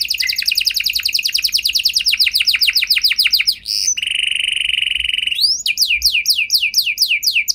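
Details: Canary in vigorous song to spark answering song from others: a fast trill of high notes, a flat sustained buzzy tone, a quick rising slide, then spaced sweeping whistled notes.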